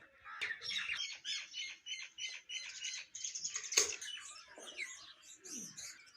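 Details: Myna singing in the Indian morning: a steady run of short repeated chirps, about three per second, over high squeaky chatter, then one sharp loud note and scattered lower gurgling calls.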